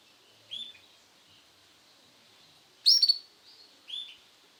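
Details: Male Sunkist-coloured canary uttering a few high, brief chirped notes, including a fast cluster of three bright notes in the middle, separated by pauses over a quiet background.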